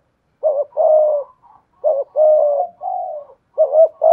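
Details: Decoy spotted dove with a 'thổ pha thúc' voice, cooing 'gù' to challenge a wild dove. Closely linked phrases: a wavering short note, a long level coo, a faint brief note, then a softer extended coo and another quaver.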